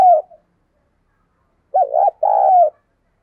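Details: A caged spotted dove lure bird's prompting call: a short clipped coo, a pause, then a wavering coo and a long, level, hollow coo that fades at its end.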